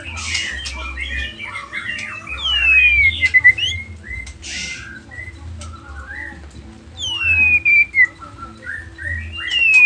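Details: White-rumped shama of Nias spotted stock singing intermittently: long clear descending whistles, buzzy twitters and scattered chips with gaps between phrases, over a steady low hum.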